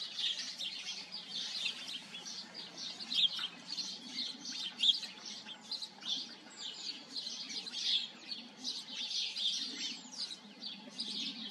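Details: Sparrows chattering in their colony, a long run of bright, tweeting chirps and a few sharper single notes over a soft low murmur in the background.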